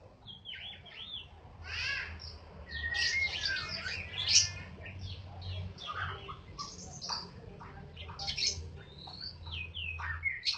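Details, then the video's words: Balak-type white-rumped shama in full song: a long, rich, varied stream of high whistles, sweeps, trills and sharp chirps, loud and continuous, over a low droning hum. "Suara Burung Murai Batu Balak 8 harian"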